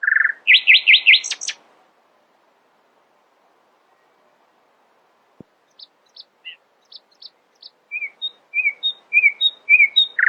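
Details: Nightingale in early-morning song, opening with a low note and a fast rattling trill, then after a pause scattered high notes and a quickening run of short whistled phrases.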